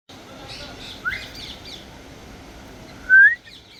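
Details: Faint chirps and twitters, then an African grey parrot's loud rising whistle late in the stretch.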